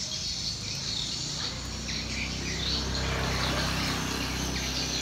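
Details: Swiftlets massing in a colony above homes in Sengkang, Wajo regency, South Sulawesi, Indonesia. Many thin, high chirps overlap in a continuous twittering chorus, with a constant low droning hum beneath.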